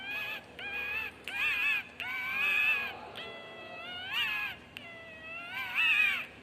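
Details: Pet cockatiels, described by their owner as very happy, give rich, harmonic chirps and rising-falling whistles in short bursts every second or so, with some calls drawn out and wavering.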